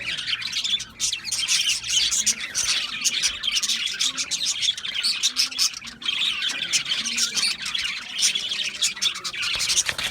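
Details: Several budgerigars chattering together, a steady wash of high, scratchy warbling notes and quick clicks with brief dips, no pauses across the stretch.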